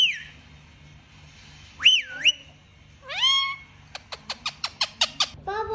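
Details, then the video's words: Talking rose-ringed parakeet (mithu) producing a drawn-out whistle, a dipping wavering tone, a nasal rising word-like sound, then a rapid series of about nine short clicking notes and a final low nasal syllable. "mithu parrot speaking"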